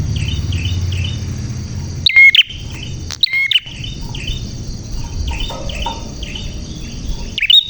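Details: Prinia singing actively with a clear voice: faint, sharp chirps repeated steadily through the stretch, broken twice by loud clipped bursts, over a low rumbling background.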